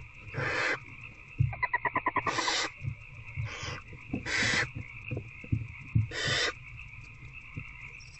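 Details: Nighttime barn owl nest box scene, 19 February 2024, adult owl feeding its older owlet a rat: rasping hissed screeches alternate with a quick series of rapid ticking chitter notes, steady droning background.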